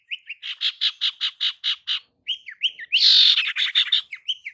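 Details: Calling to lure males, a female sirtu delivers rapid, evenly spaced buzzy chips, about six per second, then short whistled slurs and a loud harsh rattle.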